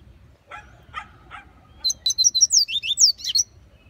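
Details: Double-collared seedeater in the bush: three soft, lower chirps, then a bright, fast run of high, slurred whistles lasting about one and a half seconds.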